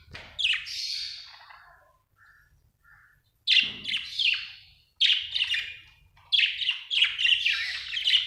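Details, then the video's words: Australian budgie chirping happily, giving harsh, buzzy warbled chirps in clusters, a quiet gap near the middle, then faster runs of chattering notes. "happy budgie chirping sound"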